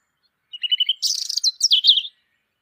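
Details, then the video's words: A European robin gives a quick run of thin, high notes, then a jumbled, tumbling warble of sweet trills, all in about one and a half seconds. "European Robin Peaceful Chirping"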